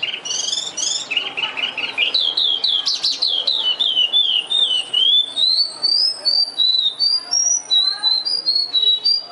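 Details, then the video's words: An Oriental skylark (Alauda gulgula) in Vietnam pours out a continuous high song of rapid twittering notes, buzzy trills and short slurred whistles, with no pause over the whole stretch. "Oriental Skylark (Alauda gulgula) thoroughbred in Vietnam [126] - Birds chirping great"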